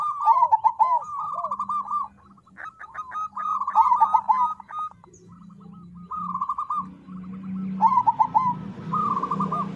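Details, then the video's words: Crossbred zebra dove used as a singing lure delivers a run of rapid stuttered coo phrases with hooked endings, pausing briefly between bursts; a soft low drone and some hiss sit beneath the calls. "Suara Perkutut Krosing Untuk Pancingan Agar Mau Bunyi"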